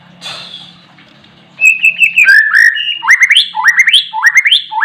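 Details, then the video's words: Oriental magpie-robin in lively song after a short rustle: sweet whistled phrases, then a string of rising, upslurred notes repeated about twice a second, loud and clear. "burung murai gacor"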